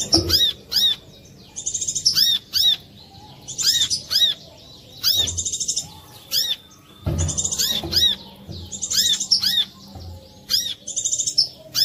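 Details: A Chinese hwamei sings loud, clear, high whistled phrases of rising and falling notes in bursts about every second, with short pauses between; used as a lure song to prompt other hwameis to sing.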